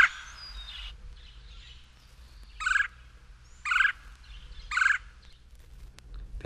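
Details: Red-bellied Woodpecker (Melanerpes carolinus) call: three short, rolling churr notes about a second apart, each harsh and mid-pitched, over a faint background hiss.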